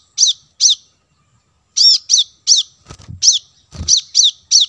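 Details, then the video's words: Plain-throated sunbird lure call: bright, descending high chips in twos and a steady run, mixed with low thudding knocks partway through. "suara pancingan kolibri kelapa"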